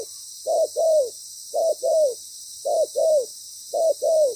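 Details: Loud-voiced spotted dove decoy calling during trapping, moulting and wary: low paired coos, a short note then a longer falling one, repeated about once a second over a steady high hiss.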